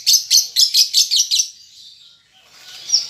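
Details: Baby lovebird learning to chatter: a rapid run of seven sharp, high, buzzy chirps in under a second and a half, then quiet before a softer squeaky note.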